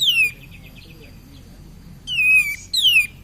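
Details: Cream-vented bulbul singing as a lure for other birds: a falling whistle, a soft series of quick ticking notes, then a level whistle and another sharply descending one.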